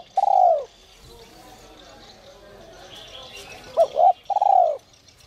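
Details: A spotted dove, 'giọng còi' whistle voice, used to lure wild doves into calling, gives one long falling coo, a quiet gap with faint background chatter, then a double note and another long coo.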